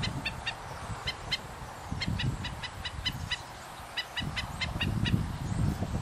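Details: An adult male Black-necked Stilt scolds the observer with sharp, nasal yipping notes in quick irregular bursts over a low rumble, while his family forages on mudflats along Thompson Lake, Emiquon Nature Preserve.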